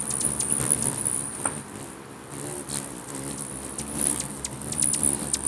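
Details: Hummingbirds swarming a feeder in Bigfork, Montana, in territorial fighting: constant shrill high chirping with scattered sharp clicks, over a low droning whir of many beating wings.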